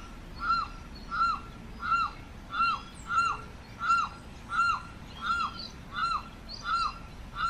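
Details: Steady series of about ten loud, arched, wailing cries from a Limpkin (carrao), each rising then sliding down, evenly spaced a bit under a second apart.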